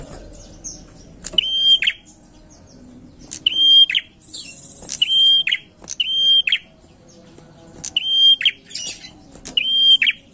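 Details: Prinia lure song from a bird singing nonstop: six whistled phrases over ten seconds, each a flat high tone with clicks at either end, arriving in loose pairs with a harsh buzzy burst near the middle.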